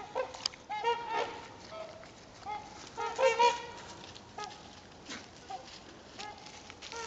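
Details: Trumpeter swans, a couple hundred migrating south and resting on Garfield Lake on a calm day: loud, nasal honks with stacked harmonics, given in short bursts and clusters, some overlapping, with quieter honking between.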